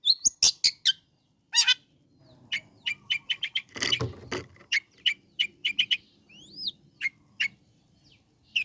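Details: Long-tailed shrike sounding to provoke other shrikes, mixing harsh rasps and a run of quick high chips, a loud noisy burst midway, and two clear upward whistles near the end over a soft low hum.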